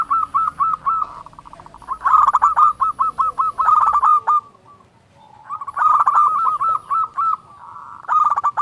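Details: Local zebra dove with a big voice sings long rolling phrases of evenly repeated cooing notes, stuttering rhythmically, broken by a short pause midway; recording meant as a lure to get other doves singing.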